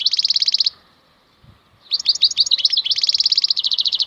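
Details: Wild European goldfinch (maknine khalwi) delivering fast, bright, metallic trills: a short rattling run, a pause, then a longer twittering phrase mixing varied chirps with evenly repeated high notes.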